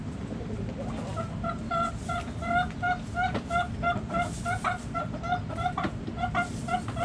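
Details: Backyard chickens: a hen gives a long run of short, nasal, evenly spaced clucks, roughly three per second, over a steady low rumble of background noise.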